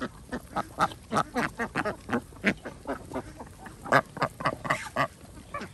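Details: Farm ducks calling during feeding on an organic village farm in Andhra Pradesh, India: a steady stream of short, harsh quacks, roughly two or three per second, rising and falling in loudness as the flock calls together.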